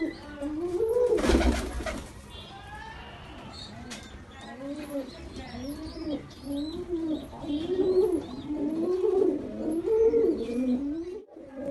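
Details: Baby pigeon under attack, angrily calling with a string of low, bowed, moaning notes that grow louder toward the end; a sharp burst of noise near the start and some human voice in the background.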